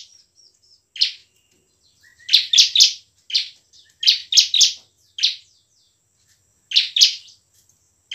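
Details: Ciblek (bar-winged prinia) in passionate 'gacor' song, 'ngebren' and 'nembak' styles, played to make lazy birds sing: buzzy chirp groups of two or three repeated roughly every second, with quiet stretches between.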